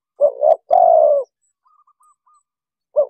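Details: Spotted dove coo used to lure wild birds for trapping: a short double note, then a longer hoarse level coo, faint soft notes after, and a new coo starting at the end.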